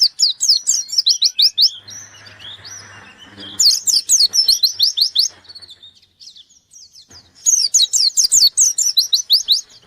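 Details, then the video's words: Three bursts of quick, high, descending chirped notes from a white-eye seeking an opponent, separated by quieter thin twittering and a brief low hum. "Burung pleci gacor nyari lawan"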